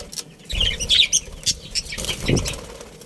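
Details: Budgerigar family chattering: quick high twittering chirps through the first half, then softer notes over rustling and a low thump.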